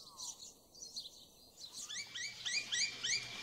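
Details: Noisy miner in an Australian backyard garden: soft high twittering at first, then a quick run of sharp, rising chip notes, about three per second, growing louder toward the end.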